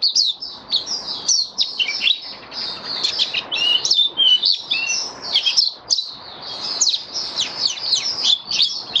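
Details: White-eye in full opening song, recorded 23 March 2022 in warm humid weather: dense, rapid, high twittering with varied slurred and trilled notes run together almost without pause, over steady background hiss.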